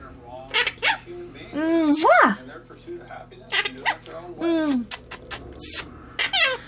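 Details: Pet Quaker parrot, adopted, speaking human words indoors: a mix of short harmonic syllables and sliding whistled phrases, with gaps of quiet between bursts and faint room hum.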